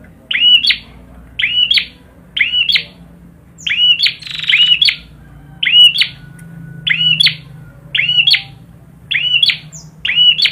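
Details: Prinia (perjak) in energetic song: about a dozen short phrases of buzzy swooping whistles ending in a sharp click, repeated nearly once a second, with low background hum throughout.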